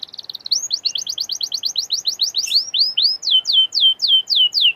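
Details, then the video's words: Canary in full, vigorous song, played to encourage other canaries to sing: a rapid even run of rising-falling notes, several per second, then slower, louder repeated downslurred whistles. "Canary gacorr!!!! canary bisu auto nyaut!!!!"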